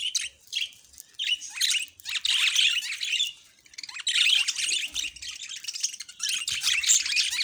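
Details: Pet budgerigars chattering: dense high squeaky warbles and chirps in bursts with short pauses, several birds overlapping.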